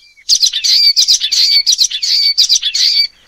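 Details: Common waxbill (Estrilda astrild) giving a three-second run of high, buzzy twittering notes, fast and uneven, with thin nasal tones threaded through; nothing else is heard.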